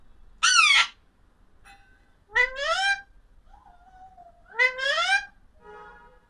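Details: Parakeet, named as an Alexandrine, giving drawn-out, wailing, rising calls with a faint lower sliding note between them. A softer buzzy sound follows at the end.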